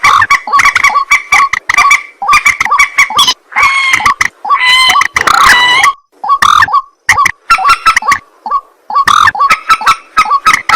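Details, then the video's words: White-breasted waterhen calling at night, rapid harsh croaking notes interrupted midway by longer, drawn-out wailing tones before the quick grunting series resumes. "ruak ruak mandar batu mp3 2 suara burung malam hari"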